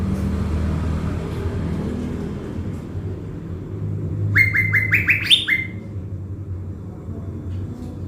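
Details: Decoy blue-winged leafbird, caged, from Bình Thuận, Vietnam, used to attract wild birds. After quiet rumble, it sings a rapid burst of about six rising whistled notes that step upward, ending in a drawn-out level tone.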